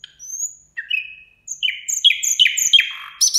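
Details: At New Year a nightingale sings: a thin upslurred whistle, then short falling slurs, then a quick series of loud descending chirps repeated about three times a second.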